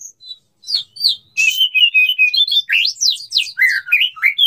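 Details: Courting white-rumped shama male calling to a female: flowing run of varied whistled notes, rising and falling, rapidly repeated with buzzy accents.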